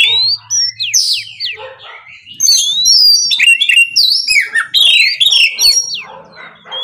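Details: Oriental magpie-robin singing in the morning to provoke rivals: rich varied phrases of sharp whistled slurs, rising and falling quickly, dense and continuous with brief pauses, high and clear.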